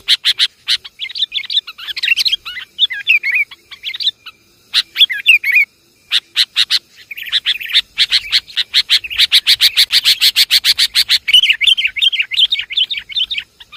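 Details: Long stretch of sooty-headed bulbul lure calls: chattering, bubbling phrases, a few gaps, then a rapid, steady burst of sharp notes followed by warbled chirps.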